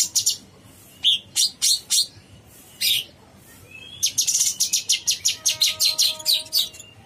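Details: Cucak cungkok (bulbul) in full gacor song with long phrases: spaced sharp high notes early on, then a dense rapid series of bright, clipped chirps with a faint thin whistle running beneath.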